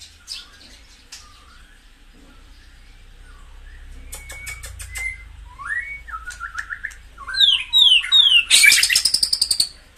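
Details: White-rumped shama song used to stimulate kept birds: faint notes at first, then a rattle of clicks, curving whistles, and a loud ending of rapid, sharp repeated notes.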